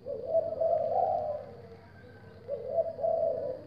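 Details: Captive-bred zebra doves from a breeding collection, many birds calling: two bursts of low, rolling, purring coos, each lasting about a second and a half, separated by a short quieter gap.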